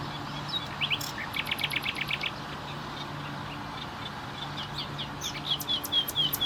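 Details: Common nightingale singing: a short rapid burst, then a fast series of sharp repeated notes, a pause, and later quick whistled and rising slurred phrases, all over a steady low hum.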